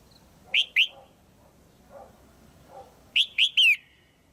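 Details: Female red-whiskered bulbul calling to prompt a male or for pairing: two short whistled notes, then a three-note phrase ending in a falling slur, with soft low chatter between the phrases.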